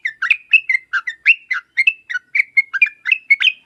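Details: Yellow-vented bulbul in lively, sharp song meant to make other birds reply at once: a continuous bubbling chatter of quick liquid notes, rising and falling without a break.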